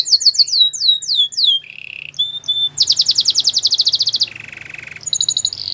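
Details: White canary singing a training song: falling whistled sweeps repeated quickly, then a low buzzy trill, a fast rattling trill near the top of its range, and more bright downslurred notes.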